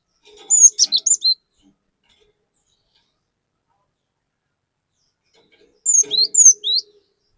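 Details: Chatty cinereous tit song used as a lure to stir up other birds: two quick clusters of sharp high whistles and down-slurred notes, separated by about five seconds of silence.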